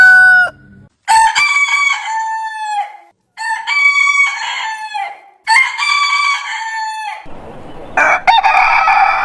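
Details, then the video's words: Several short crows come in quick succession in a compilation of backyard heritage-breed roosters. The crows are harmonic with stepped endings, and a loud harsh noisy sound comes near the end. "Chicken Crowing Ayam Berkokok Con Gà Gáy"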